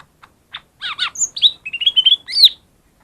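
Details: Loud lesser green leafbird song, a lure for birds reluctant to sing: downward-slurred doubled notes, a high whistle, then a rapid series of level whistled notes ending in a sharp rising phrase.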